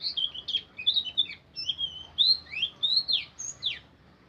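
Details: White-eye (pleci) singing 'ngeriwik': clear high warbled phrases of slurred rising and falling whistles, delivered in quick succession with short gaps.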